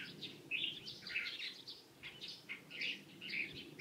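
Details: Light-vented bulbul, 16 April 2023, uttering loud, slightly harsh chirping notes in quick irregular groups, about two per second, against a steady low rumble of background noise.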